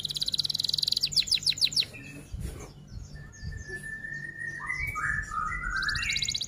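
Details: F1 canary song: a fast pulsed trill that slows into sweeping notes, then a long level whistle and warbled lower whistles, closing with a renewed high trill. Faint background hum.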